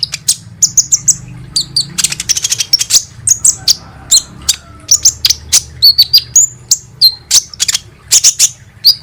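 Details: Kolibri ninja sunbird, played as a lure to coax birds into song: a dense, hurried stream of very high sharp chirps and brief rapid rattles, with some downslurred whistles.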